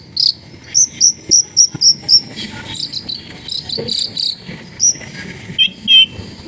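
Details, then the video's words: Long-tailed shrike singing sharp 'shots', used to lure silent shrikes into song, recorded at a home in a crowded neighbourhood: a rapid run of short piercing high notes, then scratchier varied phrases and a few slurred whistles. "CENDET GACOR FULL TEMBAKAN TAJAM COCOK BUAT PANCINGAN CENDET MACET BUNYI"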